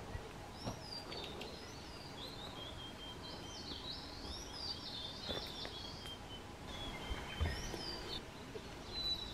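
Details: Blue-and-white flycatcher pair, beaks full of green caterpillars, as chicks fledge at Shuhogahara, Kobe, Japan, on 30 May 2020; high whistled phrases sliding up and down, repeated several times, over faint background noise and distant birds.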